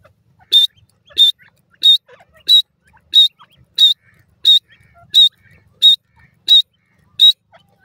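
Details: Grey francolin having fun with its young: a steady run of eleven sharp, high, whistled peeps evenly repeated about once every 0.65 seconds over a quiet background.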